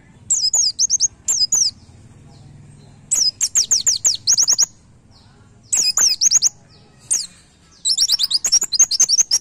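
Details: White-eye "nembak" master song, used for training cage birds and played daily during morning airing: bursts of rapid, very high chirps sweeping down, in short volleys separated by brief pauses, with faint low hum beneath.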